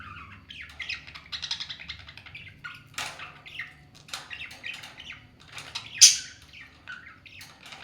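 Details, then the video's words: Pair of talking parrots squabbling in a cute fight: a rapid string of chattering squawks and chirps with rising and falling notes, plus one sharp loud screech toward the end. "Dono 🐦🦜 Ki Cute Si Ladai ll Talking Parrot 🦜"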